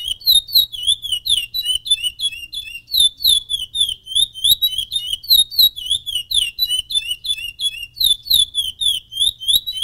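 A chestnut-bellied seed finch sings a rapid, continuous string of clear, high whistled notes, sliding up and down with fast trills, with no pauses.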